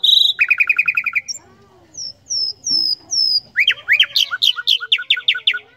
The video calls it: Common Nightingale Songs